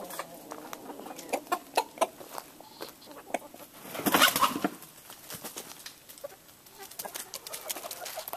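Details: Roosters and a gray hen mating on a ranch in northern California; scattered faint clucks and clicks, with a burst of wing flapping or scuffling about midway.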